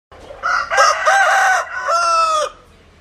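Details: Rooster crowing: a loud, harmonic-rich call about two seconds long, rising into a sustained strained note and then falling away at the end, with a clear break in the middle and faint background hiss.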